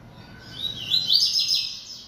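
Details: Singing a lot, a bold coleiro-baiano (yellow-bellied seedeater) produces a continuous high, buzzy, twittering phrase that builds in loudness over about a second and a half. It is a dense run of slurred chirps.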